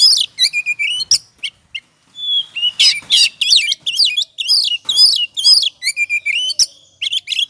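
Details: Lure recording of an oriental magpie-robin in ngobra song: rising whistles and scratchy notes, a pause, then loud overlapping chatter of sweeping whistles and buzzes repeated about twice a second.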